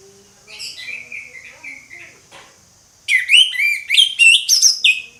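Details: Orange-headed thrush in ngeplong song. Soft warbled whistles fall and rise at first, then a loud, fast string of sharp, varied whistled and chattering notes rings out.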